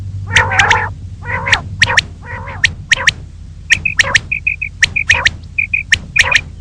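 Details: Female common quail heard in the morning, starting with harsh, nasal grating notes, then crisp clicky triplets mixed with paired soft piping notes, repeated about once a second.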